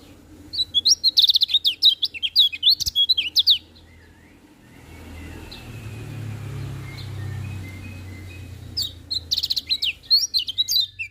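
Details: Lemon-bellied white-eye heard in the morning, giving quick jumbled bursts of high chirping twitters at the start and end, separated by a quieter stretch of low rumbling background noise with faint distant whistles.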